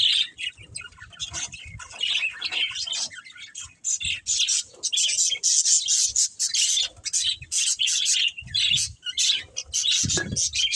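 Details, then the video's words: Budgies chirping: continuous bright warbling chatter and squeaky chirps from several birds, busy and overlapping, with a few short pauses and faint low thumps. "Budgies Chirping Sounds"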